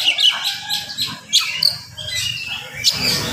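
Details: Morning song of an oriental magpie-robin, delivered fast and tightly packed to rouse rival magpie-robins: bright high whistles and short chirps in quick bursts over a steady low background rumble.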